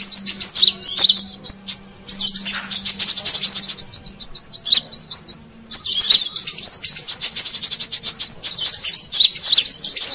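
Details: Lure call of the brown-throated sunbird for attracting wild birds: high, hurried chittering phrases separated by a few brief silences, with a faint steady low hum in the first half.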